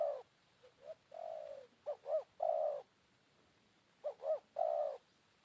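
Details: Spotted doves exchanging calls as a wild bird responds to a decoy, midday after rainfall: a series of coo phrases, each two brief arched notes and one longer flat coo, about three phrases in five seconds; faint steady high hum.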